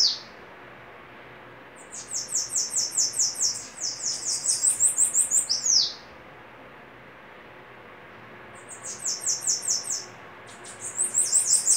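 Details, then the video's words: Bananaquits in a singing duel: bursts of rapid, high, thin buzzy notes repeated in quick series of about two seconds, separated by pauses, with a descending slurred note at the start. "Duelo de sibite cantando"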